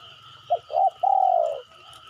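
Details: Spotted dove coo used as a lure to make other birds call: three soft low hoots, two brief notes followed by a longer drawn-out slurred coo, over a steady high electronic hum.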